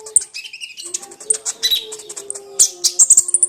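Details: Crimson sunbird, known as konin, singing as a lure for silent sunbirds: thin high squeaks and slurred notes building into a quick series of sharp, evenly spaced chips near the end, with a low droning tone behind.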